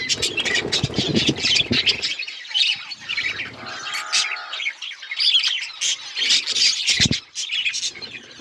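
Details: Several colourful budgies squawking and chirping: harsh scratchy chatter with a short nasal, buzzy call in the middle and a sharp click near the end.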